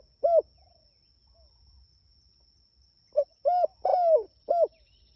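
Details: Spotted dove calling its companions. A lone closing coo comes first, then after a quiet gap one full phrase of a short note, a clear coo, a long drawn falling coo and a final coo, over a faint high whine.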